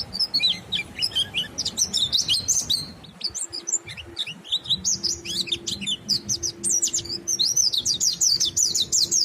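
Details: Monty bird singing continuously to prompt other birds to sing along: rapid, high, chattering chirps and sweeping notes packed closely together, with a steady low hum in the background.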